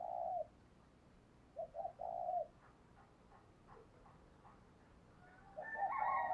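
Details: Spotted dove decoy cooing to get other doves calling: a long coo, then short notes and a drawn-out coo, quiet gap, and a different louder bird sound rising at the end.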